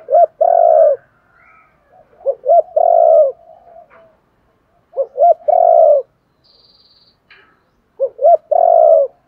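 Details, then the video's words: Spotted dove cooing to stimulate wild-caught birds to call. Each phrase is two or three short clipped notes followed by a drawn-out, deep, rolling coo, given four times at roughly two-and-a-half-second intervals, with soft murmurs between. "Tiếng chim cu gáy kich bổi mới[ tiếng thúc . gáy gọi ] chim cu gáy giọng hạp bổi, giúp bổi mau lên"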